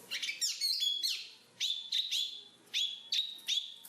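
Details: A black-capped babbler sings clear, pure, level whistles, single or paired, separated by short pauses, against a quiet background.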